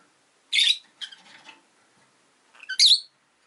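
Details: Pet Rosy-faced lovebirds, a pair newly joined to the household, chirp loudly: a harsh high squeak, a scratchy trailing call, then another bright squeaky chirp at the end.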